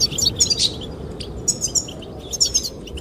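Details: Goldfinches chirping to attract the female: three short clusters of sharp, high tinkling notes separated by brief silences, with wind rumbling steadily underneath.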